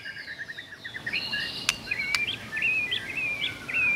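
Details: White-rumped shama singing in the morning, a lively run of clear whistled phrases, short rising and falling notes strung together rapidly, a few sharp clicks, against a steady low background hum.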